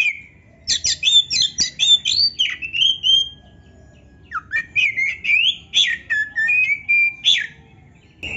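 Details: Oriental magpie-robin (kacer) singing in energetic 'gacor' style, meant to provoke silent caged birds into answering a rival: a dense run of rapid sweet whistles and chirps, a short pause, then more varied whistled phrases with sliding notes.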